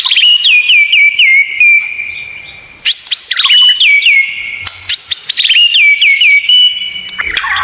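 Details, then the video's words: White-rumped shama, murai batu, kept as a songbird, in a full-fill training song: loud, clear whistled phrases with rapid repeated notes and sweeping up-and-down slurs, in bursts separated by short pauses. "Masteran Murai Batu Full Isian Tembakan"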